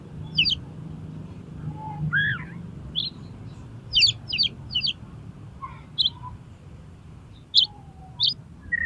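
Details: Oriental magpie-robin song used as bait to make contest kacer sing: irregular buzzy chirps and doubled scratchy phrases, a few lower whistles and a swooping slur, over a constant low hum.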